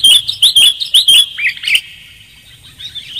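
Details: Clear-voiced sooty-headed bulbul lure call: five or six sharp, bright chirps in quick succession, a couple of lower slurred notes, then fading softer warbling.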